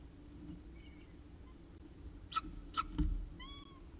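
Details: Peregrine falcon at the CSU Orange nest on 14 October 2019 around 6:54 pm, with the last prey of the day: a few harsh broadband notes, a faint short whine early and a rising-falling harmonic whine near the end over low hum.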